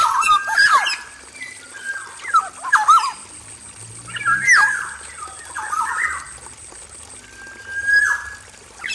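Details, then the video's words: Black-naped oriole male in an aviary cage, repeating short phrases of fluty, slurred whistles mixed with quick sharp notes, about five bursts, ending with a long clear whistle. "PANCINGAN SUARA KEPODANG EMAS JANTAN GACOR FULL ISIAN DI KANDANG AVIARY"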